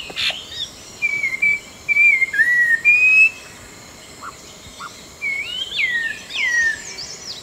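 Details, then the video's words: Orange-breasted laughingthrush, Langbian Plateau, southern Vietnam, with thin level and falling whistled phrases in short groups, a louder slurred burst near the end, and steady broadband background noise throughout. "Orange breasted Laughingthrush"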